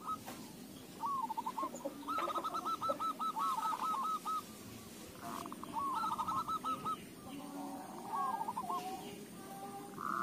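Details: Zebra dove song used as a lure for other doves: several quick phrases of rippling cooing notes, each a rapid run of short rising-falling syllables, half buried in constant background hiss.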